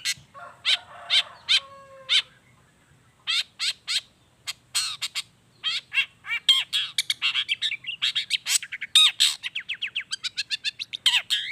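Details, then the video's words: Long-tailed shrike song intended as a lure for silent shrikes: spaced harsh rasps at first, building into a fast, dense, steady chatter of sharp notes repeated several times per second. "SUARA CENDET GACOR ISIAN ALAM"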